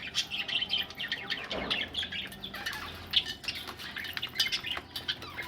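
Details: Budgies preparing to lay eggs chatter continuously with overlapping high chirps, scratchy warbles and short squawks, giving a dense, lively flock sound throughout.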